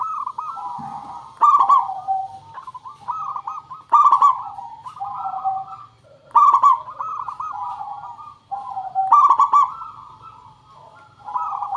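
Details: Zebra dove song used to make other birds sing: about five loud, trilled coo bursts spread over the recording, linked by rolling, wavering softer coos, over a faint low hum.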